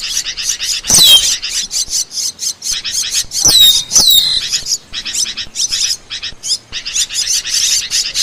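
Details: Asian glossy starling, recorded to train songbirds and lure birds: rapid rhythmic chipping notes with a few loud, piercing whistles that drop in pitch near the middle.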